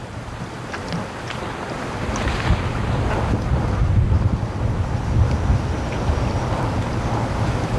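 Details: Wind buffeting the microphone during a snow storm at a duck-raising yard: low, rumbling gusts that swell and fade, with scattered faint ticks but no clear calls.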